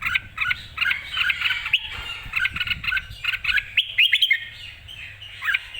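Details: Red-whiskered bulbul, excited and singing clearly, delivering clusters of quick chattering notes with brief gaps, then a few sharper whistled notes near the end.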